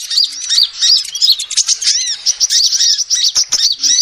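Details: Female sunbird calling, used to lure birds: a steady stream of high, squeaky arched chirps, densely packed and overlapping throughout, with scattered short clicks.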